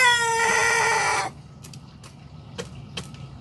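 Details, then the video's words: Young Sanjak cockerel beginning to crow: the drawn-out tail of a crow, a rich, sustained tone that slowly falls and cuts off abruptly, then quiet background with a few faint clicks. "Sanjak Cockerel starting to crow"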